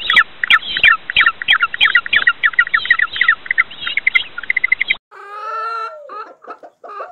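Chickens cluck in quick, overlapping, chattering bursts, about three a second. A longer, drawn-out harmonic call follows near the end.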